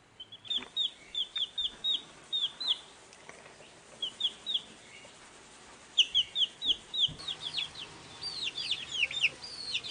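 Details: Newly hatched chicken chicks on a farmyard peep in high, short, downslurred notes, quickly repeated in bursts, growing denser and more overlapping toward the end as several chicks call together.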